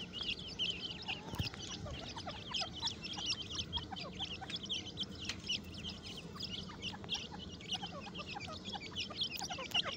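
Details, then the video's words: Captive grey francolin chicks in breeding season, kept in a breeding cage, healthy and active: many overlapping high, thin peeping chirps in a dense continuous chorus, with occasional soft clicks and knocks in the background. "teetar ke bache ki awaz"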